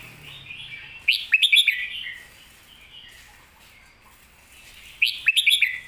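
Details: Red-whiskered bulbul in master-song style: a bright cascading phrase of quick whistled notes, repeated after about four seconds of softer warbling, clear and full.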